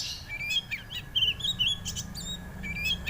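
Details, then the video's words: White-rumped shama song used as a lure to draw singing from a young bird: fainter, thin whistled phrases and quick chirps over steady background hiss. "pancingan burung Kacer ampuh Kacer bahan mau bunyi"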